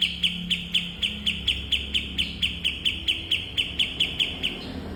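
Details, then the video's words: Kapas tembak bulbul song used as a training recording for cage birds: a steady series of short, sharp chirps on one pitch, about three per second, repeated for five seconds over a low background hum. "Burung Masteran Kapas Tembak"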